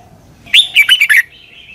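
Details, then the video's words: Single quick phrase from a red-whiskered bulbul in Thailand, doubled southern master song for young birds to copy: four or five fast, bubbling whistled notes, followed by a faint thin tone. "เสียงนกกรงหัวจุก เบิ้ล แม่บทใต้"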